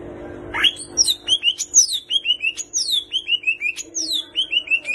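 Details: Loud, busy song of a greater green leafbird packed with mimicked kapas tembak and cililin phrases: a rapid string of descending whistled slurs and high chirps, about three per second, over a low steady hum.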